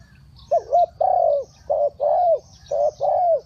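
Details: Spotted dove cooing in the Thai three-kuk-hoi style: low mellow phrases, each a short double note then a longer drawn, slightly falling coo, repeated about once a second over faint high insect-like ticking.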